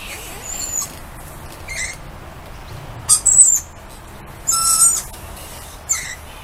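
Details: Lorikeets calling as they greet a person outside: scattered, irregular short harsh screeches and squawks separated by quiet gaps, over a soft hiss.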